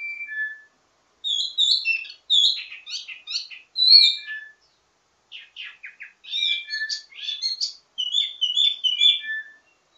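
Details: Wambi mini delivering ledekan (teasing) song with many variations, used to train others of its kind: jumbled bursts of high twittering and chattering notes separated by short pauses.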